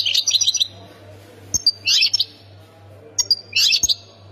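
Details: European goldfinch singing in the Khemis Miliana sector style of Ain Defla Province, Algeria: bright tinkling twittered phrases with sharp high notes, in bursts separated by short pauses, over a steady low hum.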